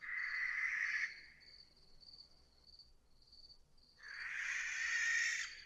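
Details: Two harsh, hoarse shrieks from a barn owl, about three seconds apart, the second longer and louder. Soft insect chirping fills the gap between them.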